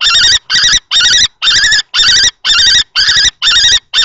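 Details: Two male common kestrels clash over a nest box at Théding on 20 March 2024, an older adult driving off a juvenile-plumaged male. Grating, quavering kee notes follow each other steadily, roughly two per second.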